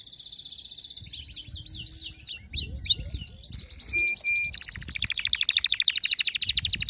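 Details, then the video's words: Canary singing: rapid series of high, sweeping whistled notes and trills, with fast repeated chirps and a brief lower rattling phrase, delivered in quick changing bursts. "صوت كناري يخلي الكناري الصامت يكسر القفص"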